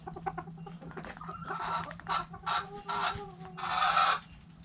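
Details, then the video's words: Backyard hens clucking inside their coop: soft rapid clucks building into louder harsh squawks, ending in a long raspy cackle, with a steady low hum throughout. "Backyard Chickens Relaxing Video In The Chicken Coop! Sounds Noises Hens Clucking Roosters Crowing!"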